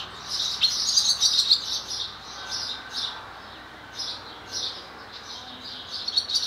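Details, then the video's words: Barn swallow male in song near its nest and mate, Lesvos, Greece, May 10th 2014: lively high-pitched twittering phrases, a dense chattering run at the start, then spaced chirps and short warbles. "Singing Swallow"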